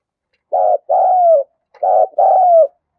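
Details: A spotted dove calls vigorously so that newly caught doves will start calling. Two clear pairs, each a short buzzy-pulsed note and a longer, smooth coo that drifts lower in pitch.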